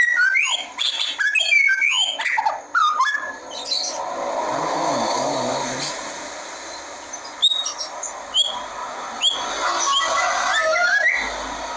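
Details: White-rumped shama of the blacktail type sings a rich run of varied, swooping whistles and quick sharp notes. After a few seconds the phrases turn softer and are partly masked by background noise, then a few clear notes break through near the end.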